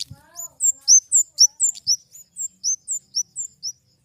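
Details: A flowerpecker, known locally as kemade, sings a steady run of high, thin notes that alternate between two pitches, each note hooked upward, about four per second, with a soft knock early on.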